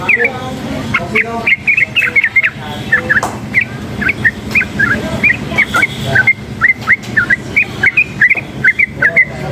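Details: Wild sooty-headed bulbul, worked up by noise, pouring out a long run of crisp, looping chirps and whistles at a fairly even pace, with faint low rumbling and scattered clicks behind.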